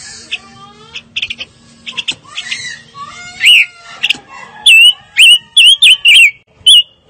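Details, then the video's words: Fire-tailed myzornis sings several loud, clear whistles that curve up and down in a quickening series, preceded by softer chirps over a low background drone. "Kicau Burung Pancawarna Paling Dicari - Tiếng chim ngũ sắc"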